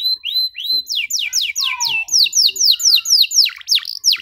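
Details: Canary singing, used to teach young canaries: a level whistled tone, then a series of strong downslurred whistles about two per second, with a few quick swooping notes at the end.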